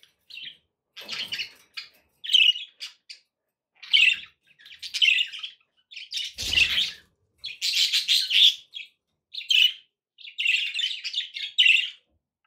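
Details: Budgies chirp and warble in regular bursts roughly every second, each a quick run of bright, scratchy, high notes, with a low thud partway through.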